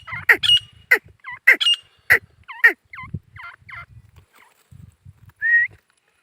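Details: Male grey francolin (teetar) giving loud, harsh notes that sweep downward, about one every half second, mixed with short hooked whistles. The calls thin out into softer scattered notes, with one final rising whistle.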